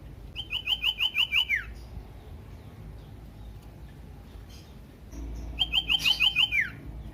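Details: Common iora song used to provoke other ioras to sing: two identical phrases of about seven quick, evenly spaced chirps ending in a downslurred note, separated by a few seconds of quiet.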